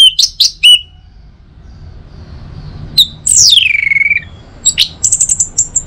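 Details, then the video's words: Orange-headed thrush song, used in the morning to stimulate other birds to sing: a few sharp high chirps, a pause, then a long descending slurred whistle and a quick run of high twittering notes. "Saatnya Buat ANIS MERAH NGEPLONG Gacor dirumah. Pancing dengan suara burung ini baik pagi hari."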